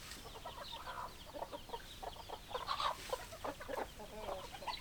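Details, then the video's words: Chickens clucking: a steady run of short, broadband clucks with brief louder bursts, spread over about five seconds against a faint hiss. "Chicken Sounds Noises Hens Clucking Roosters Crowing"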